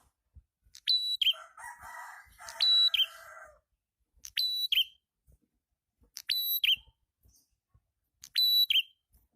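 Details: Lure recording of a prinia (prenjak kepala merah): a loud, high whistled note slurring into a lower warbled flourish, repeated steadily, and once overlapped by a long buzzy, scratchy chatter lower down.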